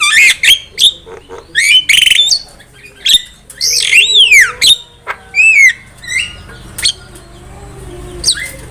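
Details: Javan myna song played as a trapping lure: harsh grating squawks and twisting whistled slurs in uneven bursts, thinning toward the end into isolated notes.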